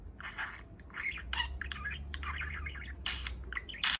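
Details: Pet male budgerigar, eight months old, chirping while practising learned words. Nearly continuous scratchy warble with rapid chirps and squawky notes. The calls rise in louder bursts near the start and the end, over a low steady hum.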